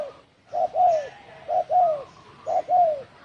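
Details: Spotted dove, "đồng thổ sấm" provoking call, 2020. Three coo pairs: each is a brief note followed by a longer, warm coo sliding downward, spaced about a second apart.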